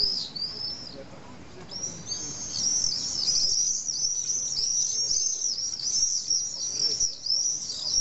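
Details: Evening at a Common swift colony of about twenty pairs nesting low in a retaining wall in Nice, France; a brief scream, then a long run of shrill trilling screams from several birds.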